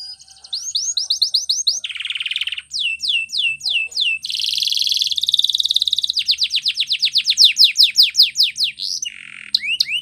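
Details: Lively canary training song mixing rows of quick descending whistles, a lower harsh buzz, a dense high rolling trill and fast sweeping note series.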